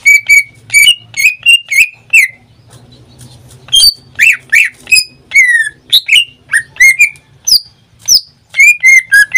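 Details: Caged pet greater green leafbird sings a run of repeated whistled notes, pauses briefly under a soft low hum, then resumes with varied sliding and falling whistles.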